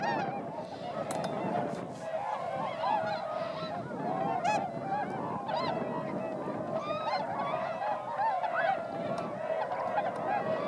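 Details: Flying swans at rice fields of Motono, Inzai, Chiba, Japan, in December 2014, roughly 905 birds wintering; continuous mass of overlapping trumpeting honks, some sharper rising notes, steady low rumble beneath.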